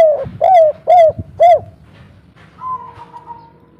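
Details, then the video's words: Local spotted dove coo in the kuk 3 pattern, soft in tone, intended to draw calls from other doves. Four arched coos in quick succession are followed by a faint, long, level note over low rumbling noise. "derkuku kuk3 lokal gacor suara empuk untuk pancingan langsung nyaut"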